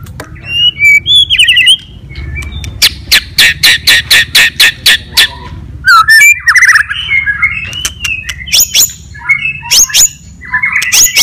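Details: White-rumped shama singing its provoking fighting song: whistled phrases, a long fast train of loud sharp chips, then rich varied warbles and slurred whistles.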